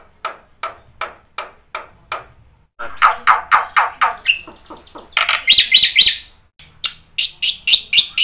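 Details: Black-winged myna in full, varied song, played as a lure to prompt silent birds to answer: a run of evenly spaced harsh rasping notes, then faster churring chatter, bright whistled notes and further rhythmic rasps.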